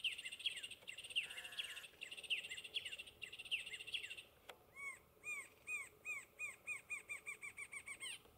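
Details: Rufous-winged antshrike (Thamnophilus torquatus) at Ribas do Rio Pardo, Mato Grosso do Sul, Brazil, on 25 April 2021, calls a quickening series of clear, arched notes, about a dozen in three seconds, after high chirping from other birds.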